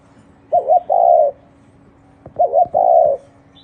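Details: Spotted dove giving two cooing phrases about two seconds apart, each a quick wavering double note followed by a longer, even, mellow coo, over a faint steady hum.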